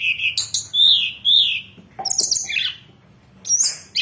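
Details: Hill blue flycatcher training and lure song: strong, sweet whistled slurs that rise and fall, followed by a scratchy twittering phrase and a brief high note.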